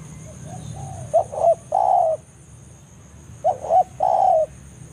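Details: Spotted dove in forest making banggo lure calls to lure a rival dove closer. Soft lead-in notes, then twice a short double coo followed by a sustained, slightly wavering low coo.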